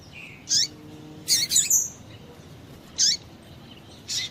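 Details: Female double-collared seedeater giving calls to excite males. Single chirps with a downward sweep are followed by a rapid triple burst with a high whistle, then two more spaced chirps.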